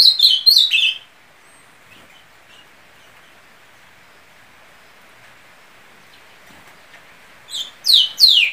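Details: Ultramarine grosbeak song: a quick phrase of bright, descending whistled notes, then a long quiet pause before another similar phrase of sliding, falling notes closes the recording.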